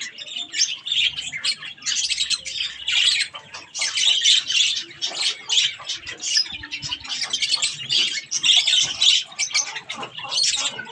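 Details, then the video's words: Pet budgerigars chatter while eating strawberries: continuous harsh, scratchy warbling and squawks from more than one bird, barely pausing throughout. "Budgies Sounds while eating Strawberries"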